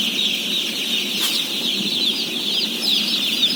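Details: Feeding time for about 17,000 day-old chickens; a thick, shrill chorus of peeping with some clearer rising and falling individual calls toward the end, and one sharp click early on.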